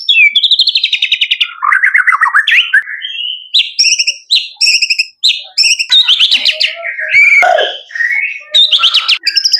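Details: Male white-rumped shama singing a loud, varied song: rich whistled phrases, rapid trills and harsh notes, switching pitch between low and high phrases with few pauses.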